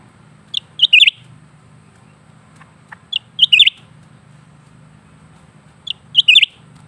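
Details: Caged lesser green leafbird in persistent song: three clusters of sharp high chirps, each a brief lead note followed by a rapid twittering flourish, spaced roughly every two to three seconds, low hum underneath.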